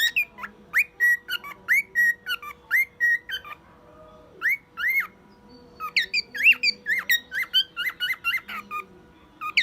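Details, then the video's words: One-year-old pet male cockatiel whistling songs and imitating sounds such as a car alarm. Bright rising whistles come in a steady series, then a brief lull and a denser run of higher, chirpy notes, over a low background hum. "Calopsita imitando alarme de carro e outros sons"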